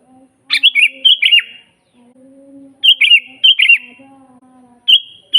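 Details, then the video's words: Sooty-headed bulbul singing energetically, a master song for luring wild bulbuls: two rich chattering phrases of quick fluty notes and a short final note, with low steady tones sounding between phrases. "suara burung kutilang GACOR asli"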